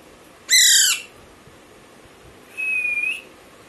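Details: A baby Alexandrine parrot lets out a single loud, grating squawk that bends downward, and after a two-second pause a steady high whistled note slightly rising at its end.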